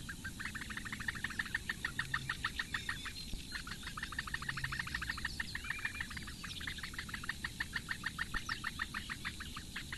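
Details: Four great bittern chicks at their nest in Lake Engure reedbeds, Latvia, fed breakfast by the female at 08:46 on 15 May 2017; steady, rapid ticking calls with a brief pause near the start.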